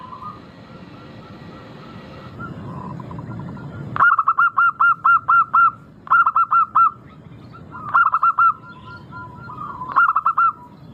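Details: Local zebra dove giving its sweet song as a lure. A soft murmur comes first. Then four clear bursts follow, each of five to six fast, bell-like cooing notes, about two seconds apart.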